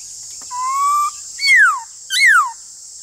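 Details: Black-throated laughingthrush singing in a duel against a rival laughingthrush: a level whistle, then two loud down-slurred whistles about a second apart, over a steady high insect drone.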